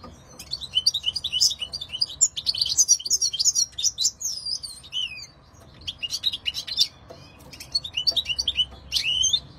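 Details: European goldfinch song: rapid tinkling twitters and liquid trills with buzzy notes, high-pitched and varied, delivered in bursts with a short pause near the middle and another phrase near the end.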